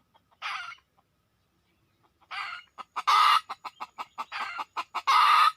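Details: Wild red junglefowl lured by decoy: two isolated hoarse bursts after a quiet start, then quickening clucks with two loud grating cries near the end.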